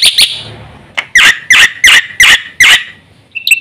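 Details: Black-winged myna in energetic 'gacor full isian' singing, used as a lure recording for training other mynas: harsh, broadband chattering bursts repeated about every third of a second, with a brief squeak at the start and end.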